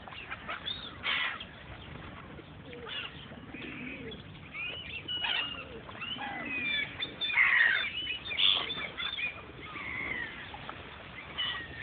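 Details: Gulls calling amid a busy flock: several overlapping mewing and squealing cries, some rising and falling, with constant crowd noise and a murmur of voices underneath.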